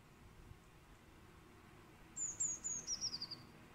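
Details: Eurasian blue tit perched in a tree on a morning, 11 July 2020, plumage fluffed up: after quiet, a very high, thin trill of rapid notes sliding steadily downward, lasting just over a second.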